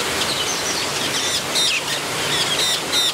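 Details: Metallic starlings in a nesting frenzy in the Scripps Aviary at San Diego Zoo, giving short high chirps and thin whistled notes in quick, irregular bursts over a steady background hiss.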